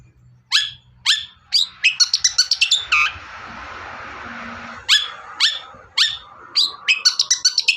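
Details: Long-tailed shrike singing, used as a prompt to make other shrikes sing: sharp, high notes that drop in pitch, delivered in quick rattling bursts. A steady hiss briefly covers the middle before the bursts resume.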